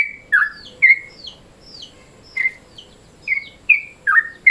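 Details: Midday-mode call of a sooty-headed bulbul (trucukan), used as a lure. Spaced, liquid, slurred chirps with brief pauses, over soft background noise.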